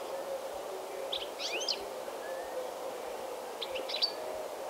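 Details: A European goldfinch by the sea at Olhão, southern Portugal, in early January 2018, in winter sun: two brief bursts of bright, tinkling, quick twitters about 2.5 seconds apart, over a steady low roar of surf.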